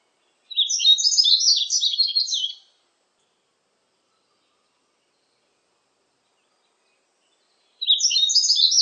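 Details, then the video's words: Yellow-throated bunting song from a 2020 national biological resources recording: a rapid jumble of high chirping and twittering notes lasting about two seconds, then a long silence before the next phrase begins; no other sounds. "노랑턱멧새, 여러번 듣기, 곤충소리, 새소리"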